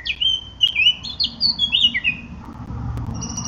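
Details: A Eurasian blackcap gives a short, loud, fluting phrase of clear whistles that rise and fall, fading into faint high notes and low hum.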